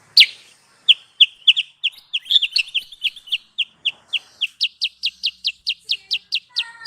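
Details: Kutilang sutra, the sooty-headed bulbul, recorded as a trapping lure: a long series of crisp, high, downslurred chirps, about three per second, steadying into an even rhythm toward the end.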